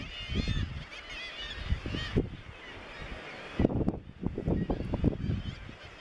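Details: Razorbill at the Bempton Cliffs RSPB breeding cliffs, East Yorkshire, 21 May 2017: low, rough growling grunts in short uneven bursts, with thin, high, wavering calls of other seabirds in the background.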